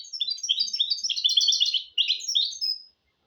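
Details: Singing mule from a goldfinch and canary cross, recorded as a model for young goldfinches and canaries to learn from. A quick, jumbled run of high chirping notes lasts about three seconds, then falls silent.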